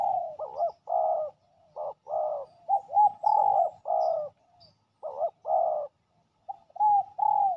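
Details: Territorial male spotted dove, very aggressive, lured to a decoy on the ground: soft low coos in quick uneven bursts, each phrase a stuttered lead-in then a smooth held note, repeated many times.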